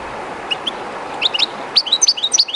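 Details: European goldfinch, a kept bird by the Jerte River, timid in the strange setting; a few scattered high chirps build into a quick liquid twittering phrase against the constant hiss of flowing water.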